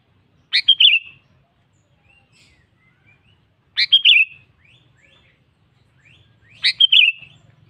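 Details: A sooty-headed bulbul calling out a rival gives three short lively phrases about three seconds apart, each a quick burst of sharp notes rolling into a warbled whistle, with faint soft notes between.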